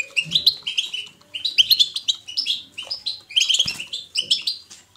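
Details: European goldfinch 'batbata' twittering, natural and lively, used to encourage a goldfinch's song: short bursts of bright, chattering, rising notes separated by brief pauses, plus a soft low knock mid-clip.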